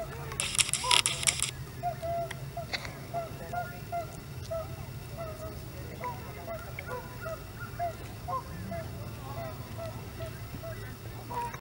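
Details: Canada geese at Hawreluk Park Lake: a run of short honks repeated about twice a second through the middle of the recording, with a low steady hum and scattered clicks in the background.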